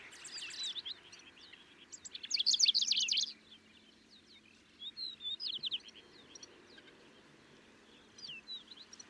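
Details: A Middendorff's grasshopper warbler (Helopsaltes ochotensis) sings short, high, chattering and trilled phrases, about four bursts in nine seconds, over a faint low hum; Kaohsiung, Taiwan, 25 May 2023.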